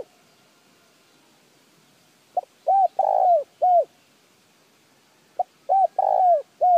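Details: Spotted dove cooing, a recording used to stimulate decoy birds to call quickly: two bursts of mellow, arched cooing notes, each a short phrase of four or five rounded hoots with a louder middle note, against quiet background.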